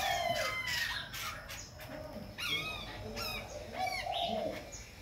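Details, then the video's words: A Khe Sanh laughingthrush sings and dances, changing its voice without pause: clear descending whistles, sharp rising-then-falling harmonic notes and warbled phrases in quick succession, with a faint steady hum behind. "Khướu Khe Sanh hót múa đảo giọng liên tục"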